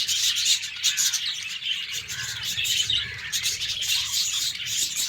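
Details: Morning chorus from a cage of pet budgies: steady, busy warbling with bright chirps layered over harsh scratchy notes, several birds calling at once throughout.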